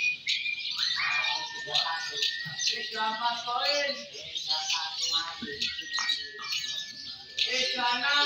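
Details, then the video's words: Fighter-type lovebirds in the M1 and M2 Balibu class at a singing contest, pouring out dense, rapid shrill chatter and buzzy chirps without pause, with people's voices talking clearly in the background throughout. "Suara Burung Loverbird Fighter M1, M2 Balibu Saat Lomba"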